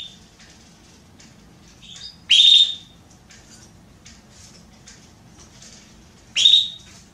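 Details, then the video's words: Soliciting mating, a female Belgian canary gives two loud, bright chirps about four seconds apart, with faint soft chips and quiet between them. "Canário Belga Fêmea Pedindo Gala"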